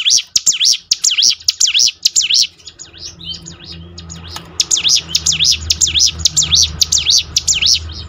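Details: Bar-winged prinia (ciblek gunung) song played to coax other birds into singing more often. Fast series of high, zigzag whistled notes repeats rapidly, pauses briefly mid-clip, then resumes. A low hum runs underneath.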